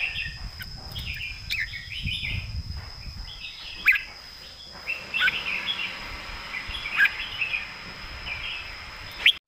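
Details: Caged red-whiskered bulbul singing the southern master song style: short warbled, whistled phrases repeated at intervals over a steady high electronic tone and low background rumble.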